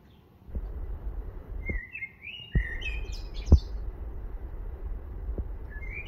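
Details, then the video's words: Eurasian blackbird singing one mellow, fluted phrase that slides upward and breaks into a thin, squeaky twitter, with soft low thumps and rumbling background noise. "Eurasian Blackbird song"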